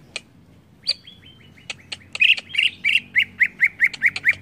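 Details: Provoking song of a greater green leafbird (cucak ijo): a sharp click and a drawn-out descending whistle, then a steady series of short, burry down-slurred notes about four per second, over faint background hum.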